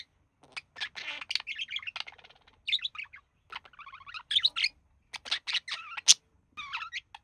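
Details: Male budgerigar in a relaxed pet pair mimicking human speech: clear, loud jumble of buzzy syllables, chirps and sliding whistles in short bursts with brief silences.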